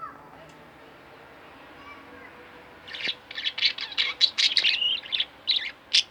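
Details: Two pet budgerigars: quiet murmuring at first with faint background sounds, then a sudden burst of loud, rapid chirps and scratchy chatter.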